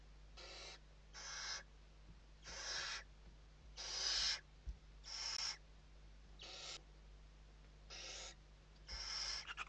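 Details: Western barn owls in a nest interior in Spain during evening feeding on 29 November 2023, giving harsh, broadband hissing screeches, about half a second to a second long, repeated in irregular bursts with short gaps.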